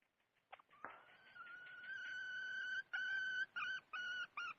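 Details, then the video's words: Red junglefowl hen calling: a few soft clicks, then a long steady whistled note that breaks into short, harmonic cackling notes repeated about twice a second. "Suab poj qaib qus seev zoo heev"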